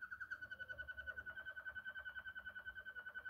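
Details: Waterslager canary in klokkende song: a steady mid-pitched whistled tone pulsed rapidly, about three and a half beats per second, rolling and bell-like throughout, quiet room background.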